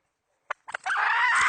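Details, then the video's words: Hen chicken used as a decoy to lure birds to traps, 2020 season: two or three short clucks, then a harsh, sustained, broadband squawk that holds steady to the end. "Tiếng gà mồi mái mới nhất mùa 2020..suab poj qaib seev 100% cuab tuaj zoo heev"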